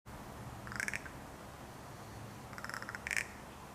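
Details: Crow rattle call: two short bursts of dry, rapid clacking clicks, each about half a second, over a low steady hum; this clicking is given in intimate exchanges, usually mating or interacting with young.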